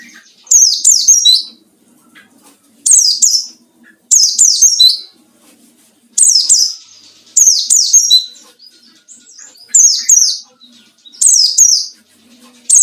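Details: White-eye ngalas song used as a lure against rivals; seven evenly spaced phrases of two to three shrill, falling, slurred chirps, roughly every two seconds, over a quiet background.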